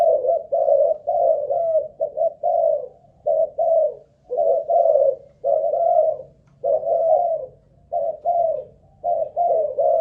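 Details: ['Caged spotted dove of Malaysian line, used as a ground decoy, cooing at length for an endurance test: continuous series of soft low coos in doubles and triples, about nine phrases with short regular breaks.']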